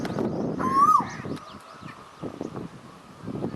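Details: Asian koel calling once, a smooth rising whistle-like coo that peaks and falls away quickly, followed by quieter rustling and scattered background sounds.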